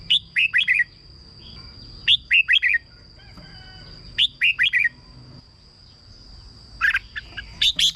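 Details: Singing red-whiskered bulbul, a recording meant to excite caged birds or serve as a decoy; identical bright four-note whistled phrases repeat about every two seconds, with a steady thin whine throughout.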